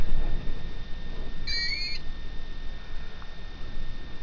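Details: Long-eared owl chicks hidden inside an almond tree beg; a single squeaky, rising, slightly buzzy half-second call like a creaking gate sounds over a low steady rumble.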